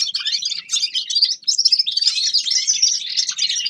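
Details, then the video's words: A grey-crowned (Himalayan) goldfinch, Carduelis caniceps, sings a fast, continuous run of high twittering, buzzy and tinkling notes with rapid trills and no clear pauses. "Седоголовый щегол Carduelis caniceps певчая птица"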